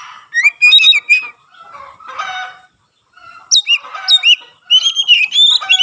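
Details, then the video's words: Oriental magpie-robin singing vigorously with its tail spread, a song said to prompt other magpie-robins into song: loud varied whistled and chattering phrases, a brief pause near the middle, then bright rising and falling whistles. "burung kacer gacor buka ekor sekali bunyi langsung bisa merangsang kacerlain gacor"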